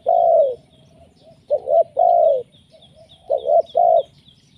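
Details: Lure call of a spotted dove, opening with a long falling coo, then two phrases of paired quick coos ending in a drawn-out coo, faint high chirps in the background.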